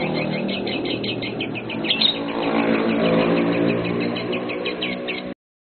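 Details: Pair of lovebirds in a singing test. Rapid chattering song of quick twittering notes, about four per second, runs almost unbroken over a steady low rumble.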